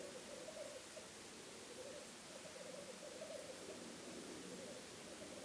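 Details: From a hide on a weekend stakeout, a black grouse keeps up a continuous low bubbling coo, with rippling phrases that swell in the middle and then soften, heard through a steady background hiss.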